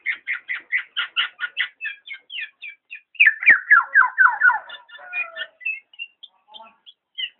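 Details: Black-naped oriole giving rapid bursts of short, clear notes about twice a second, then a quick falling cascade of slurred whistles and scattered higher chips.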